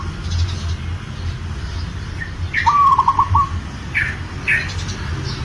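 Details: Zebra dove of local stock, in breeding condition and calling to a female, gives one soft cooing phrase, a steady note then rapid rolling pulses, while other small birds chirp sharply around it over a low rumbling background.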